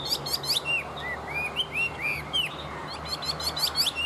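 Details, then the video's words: Tame Chinese hwamei singing well: a run of loud, clear whistled slurs, some rising and some falling, framed by bursts of rapid high trilled notes at the start and end. "Họa mi thuần hót tốt"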